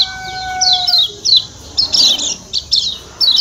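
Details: 'Ciak ciak' call of the Lombok white-eye: high, sharp, falling chirps in irregular pairs, a little under one per second. Level pure tones are heard under the opening second.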